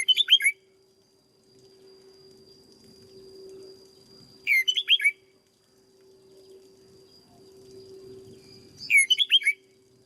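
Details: Caged red-whiskered bulbul kept as a decoy bird and trained into peak singing form, giving three short bright warbled phrases of five or six quick rising-and-falling notes, one about every four and a half seconds, over a steady low hum.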